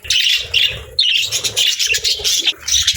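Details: Budgerigar chirping: loud, rapid, scratchy warbles and short squawky notes that pour out almost without pause, with brief dips between phrases.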